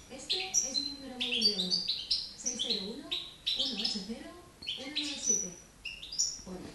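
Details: Young European goldfinch from 2013, in Girona, beginning to sing: scratchy high twittering notes and short whistles in quick bursts. A low murmuring voice runs underneath.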